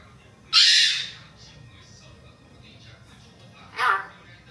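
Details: Pet Hill myna talking with its owner: a loud, harsh squawk that slowly fades, followed after a pause by a shorter, sharp, speech-like call indoors.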